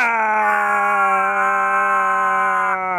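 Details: A talking parrot, asked for the most annoying sound in the world, gives a loud, harsh, buzzy, flat drone that holds steady for about three seconds and then cuts off abruptly, indoors.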